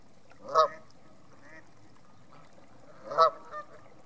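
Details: At North Third reservoir near Stirling, geese give two strong honks about two and a half seconds apart, with a faint softer call between them.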